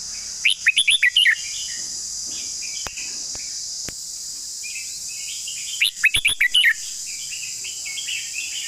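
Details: Red-whiskered bulbul in a long song, two bursts of rapid, clear whistled notes about five seconds apart, each lasting under a second, with soft notes and a few clicks between, over a constant high-pitched hiss.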